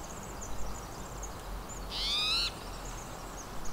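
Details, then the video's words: A Spotted Towhee at the Squamish River Estuary gives one harsh, buzzy, catlike note lasting about half a second, over faint high chips from other birds and a low background rumble. "Spotted Towhee"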